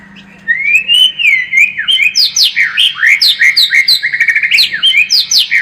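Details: White-rumped shama song played as a lure to build a fighting spirit: a rich, fast stream of whistled phrases sweeping up and down, with rapid clipped notes and bright high slurs packed closely together.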